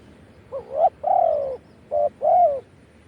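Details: Wild spotted dove in Thailand crowing in the 'khan yon' style. A brief rising note leads into a long, steady, mellow coo, then a short clipped coo and a final drawn-out one, all low and soft.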